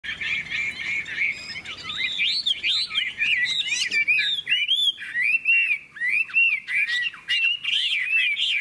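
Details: ['Caged Hwamei singing in a contest, one bird placed between two strong rivals with only three birds competing and no playback device; loud, rich whistled phrases with fast rising and falling slurs, continuous and varied, overlapping voices of the competing birds.']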